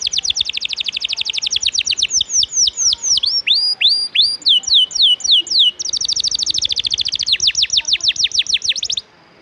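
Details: Canary singing a long, spirited song meant for tutoring champion birds: fast trills of sharp notes, a run of swooping whistled slurs in the middle, then dense trills again before stopping.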